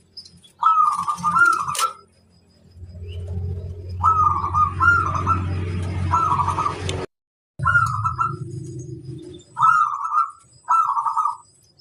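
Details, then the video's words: Zebra dove (local perkutut) singing as a master bird to prompt other doves to respond: repeated short, warbling coo phrases, each a quick rolling burst, with deep low rumbling and a brief gap. "Suara sang masteran burung kutut lokal manggung gacorrr"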